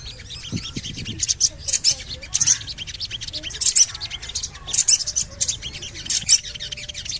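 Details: Javan cochoa calls used to prompt caged birds into song: repeated bursts of piercing high chirping, several tight clusters spaced unevenly across the clip, with softer scattered ticks and a low background rumble.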